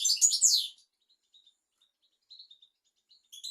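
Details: European goldfinch tutor song for young goldfinches and canaries: a loud, dense twittering burst opening the clip, then sparse faint high notes and a brief chirp at the end.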